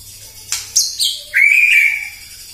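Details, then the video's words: White-rumped shama in morning song meant to provoke rival birds: a few sharp, high clipped notes lead into a long, clear, slightly wavering whistle. "PAGI-PAGI MURAI AUTO EMOSI MENDENGAR PANCINGAN INI❗ GACOR FULL❗❗"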